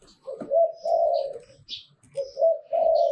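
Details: ['Zebra dove singing in the liu tan style, with two sets of sustained, slightly wavering coos and faint high chirps overhead.']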